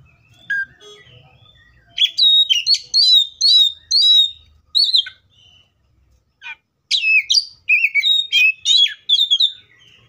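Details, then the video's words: Oriental magpie-robin singing in the wild: a single short note, then a lively run of clear, sharply rising whistles and chirps, a brief silence, and a second varied phrase of quick whistled notes over a faint low rumble. "THIS COPSYCHUS SAUCARIS BIRD MOST LUXURIOUS SOUNDS LIKE IN THE WILD!"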